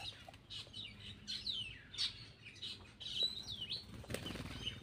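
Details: Black-winged myna singing while eating: harsh chattering notes mixed with short clear whistles around the upper-middle range, delivered in quick irregular bursts, with wing flutters and soft knocking sounds.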